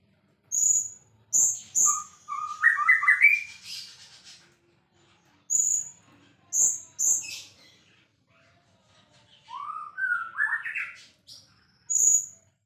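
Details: White-rumped shama, a singing bird kept as a champion songbird, alternating piercing high whistles repeated in pairs with lower rising slurred phrases, separated by silent gaps of a second or two.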